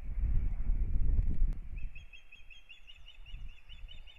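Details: A pair of ospreys at their Latvian nest in Kurzeme as a new breeding season begins, 9 April 2022; strong low rumble at first, then a fast series of high, thin whistled chirps repeated nearly three times a second.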